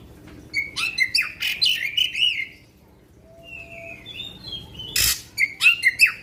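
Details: Black-winged magpie-robin in a long 'tembakan' song that is meant to excite rival magpie-robins. Bursts of bright whistles and slurred notes pause for about two seconds with a soft thin whistle. There is a sharp click near the end, then more chattering phrases.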